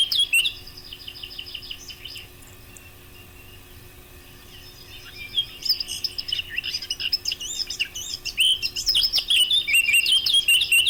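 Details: Eurasian blackcap singing, recorded as a lure for hunting: varied chattering warble at first, softer phrases mid-way, then a loud, fast, fluty flourish of repeated clear whistles in the final seconds over low steady hiss.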